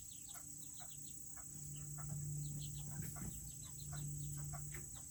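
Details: Serama chickens, the world's smallest breed, in their coop; rapid, high, slurred peeps and clucks from several birds ride over a low mechanical hum that swells midway, with a thin high whine throughout.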